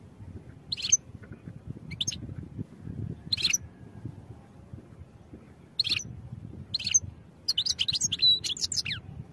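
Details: European goldfinch song for training: scattered single high chirps spaced a second or more apart, then a fast rattling run of twittering notes near the end, over a low rumbling background.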